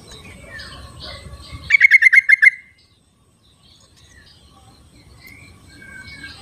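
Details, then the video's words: Yellow-vented bulbul in its wild habitat producing a lively burst of seven rapid, bubbly notes, preceded by mixed chirps and rustling, then near quiet with faint distant whistles. "suara trucuk di alam liarnya buat panggilan trucuk yang tidak mau bunyi"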